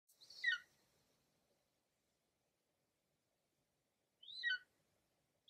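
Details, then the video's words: Female golden eagle calling to the male flying above her while she covers and protects her prey from nearby vultures; two short, high yelps, each sliding sharply downward, about four seconds apart, in otherwise quiet surroundings. "La llamada del Águila Real"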